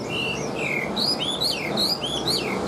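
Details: Newly moulted pet Chinese hwamei from Vietnam sings a fast run of clear, looping whistled notes, each swooping up and down at high pitch, against faint background hiss.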